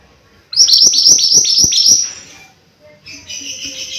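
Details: A mountain white-eye sings a run of about seven bright downward-slurred high whistles in quick succession, then softer twittering notes.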